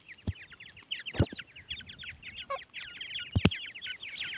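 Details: Many francolin chicks, Dakhni teetar, cheeping steadily in a rapid chatter of thin high notes, broken by a few sharp knocks and soft low rumbles.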